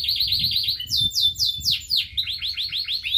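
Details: Singing local canary: rapid repeated chirps, then loud descending whistled sweeps, then a further row of quick chirps.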